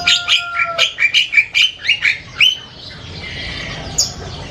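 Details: Asian pied starling chattering loudly: about ten quick rasping, chirpy notes at a steady pace with a pair of steady whistled tones at the start, then fading into a faint hiss and one last sharp note.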